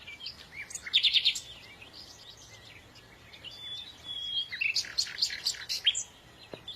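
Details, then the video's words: Bird chirping with a quick cluster of bright high notes, a calmer stretch of faint twitters and a thin whistle, then another lively burst of sharp chirps. "تغريد العصافير"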